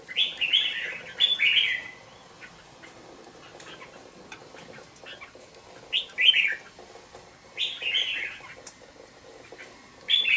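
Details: Caged juvenile red-whiskered bulbul, aged two months: brief lively chirping phrases of sliding, bubbly notes, spaced by several seconds of quiet, with soft cage clicks.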